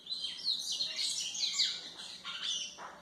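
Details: White-throated seedeater song used for training young birds: a dense run of high, varied chirps and twittering notes with quick slurred phrases, continuous through the recording, with faint background hiss.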